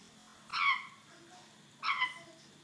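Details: Pet African grey parrot making a weird sound: two short, nasal, harmonic squawks about a second apart, each with a slight downward bend, in a quiet indoor setting.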